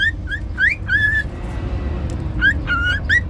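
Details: Short whistled phrases from a pet cockatiel: a few upslurred and level notes, a pause of about a second, then more upward whistles, against a noticeable low rumble.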